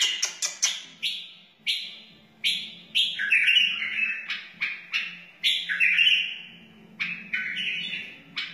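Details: Series of clear, fluty warbled phrases from a wild bulbul, each about half a second to a second long, separated by brief gaps, over a faint constant low hum; meant for teaching chicks and encouraging other bulbuls.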